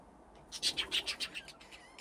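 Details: Budgerigars at play in an aviary fitted with nesting boxes: a rapid run of about ten bright, high chirps, evenly spaced, rising in loudness and then fading, over a quiet background.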